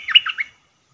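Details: Caged Red-whiskered bulbul decoy bird for trapping, giving one short burst of three throaty, warbled notes.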